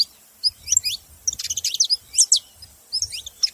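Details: Saffron finches making noise: bursts of high, thin chirps and short downslurred notes in quick irregular clusters, with brief gaps between groups and faint low rumbling beneath.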